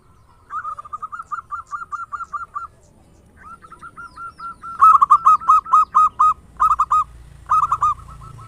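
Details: Local zebra dove with a big voice, used as a lure: a softer string of rapid cooing notes, a pause, then louder ringing coos in tight clusters.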